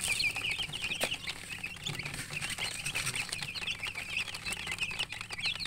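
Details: Chicks chirping in a steady crowded chorus of quick high peeps, many overlapping notes without pause, with scattered clicks and faint low background noise.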